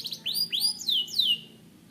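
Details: Canary giving a brief phrase of three or four bright, slurred whistles that sweep down in pitch, ending abruptly.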